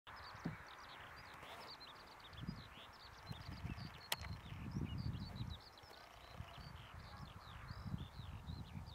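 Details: A Eurasian skylark (Alauda arvensis) at Ljubljansko Barje, Slovenia, on 1 April 2023, pours out a long, unbroken stream of rapid, high chirps and trills over steady low wind rumble.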